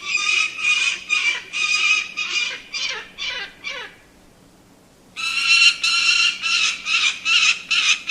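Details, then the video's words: A falcon gives harsh, raspy notes repeated briskly, about two per second, in two runs separated by a short pause, over a faint low hum. "Falcon Birds Sound & Call"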